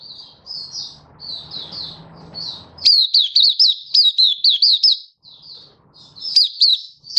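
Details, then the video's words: Open 'buka' song from a Malaysian white-eye, Singapore, 20 March 2023, warm and sunny: soft high twitters over low hum, then a long rapid chain of loud looping whistles, pause, and a closing burst. "Malaysian Mata Puteh Happy Buka Sing"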